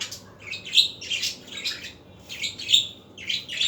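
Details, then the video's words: Budgerigar chatter in the afternoon, a fast string of bright, buzzy chirps and short squawks, each lasting a fraction of a second, in two quick clusters. "اصوات طيور الحب البادجي"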